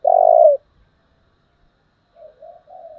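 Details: Spotted dove, 'giọng thổ' style, recorded as a model for luring birds: one long steady full coo, a pause, then three softer wavering murmured notes.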